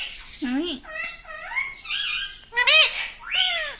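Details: House parrot known for talking, including "mummy", produces a string of wavering, nasal, speech-like syllables, some low and rounded, others high and bright, in a small room.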